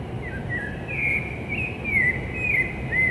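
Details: Rufous-bellied thrush singing before dawn in urban São Paulo on 11 Sept 2017: a run of clear, fluting phrases rising and falling at mid pitch, over a steady low hum of distant traffic.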